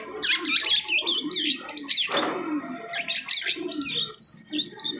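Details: Asian pied starling, freshly moulted, giving bursts of wavering whistles and harsh chatter, broken by a brief pause, then a further run of looping whistled notes.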